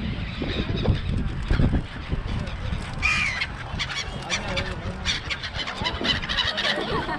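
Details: Songdo seagulls in Busan squabble noisily: a high, thin rising squeal cuts through around midway among scattered honking calls, while people talk nearby and a low background roar persists.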